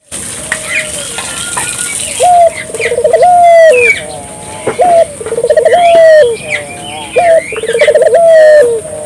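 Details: Barbary dove (burung puter) calling persistently, used to stimulate local doves to join in; low rolling coos that build through quick pulses into a drawn-out hoot, repeated roughly every two to three seconds, with thin high chirps from other birds.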